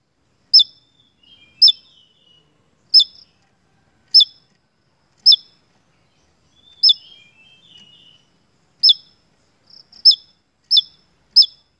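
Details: Lure recording of a Javan tesia singing vigorously: loud, high, clipped notes repeated roughly once a second, with soft, lower, trilling warbles slipped between some of them. No other sounds.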